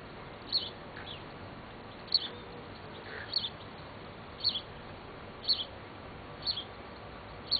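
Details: Fledgling house sparrow being fed by a female, Bad Sulza, 26 June 2009: high sharp chirps, often in quick pairs, repeated roughly once a second against faint background noise.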